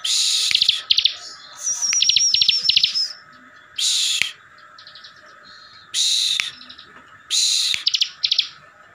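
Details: Bar-winged Prinia owned in Slawi, Tegal, Central Java, singing steady ngebren song to provoke rivals: a high wavering whistle over quick chips, then separate short buzzy bursts with brief pauses between them.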